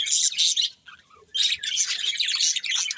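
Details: Budgerigars giving bright, buzzy chirps in two bursts separated by a short gap, the second burst a longer run of scratchy warbling notes.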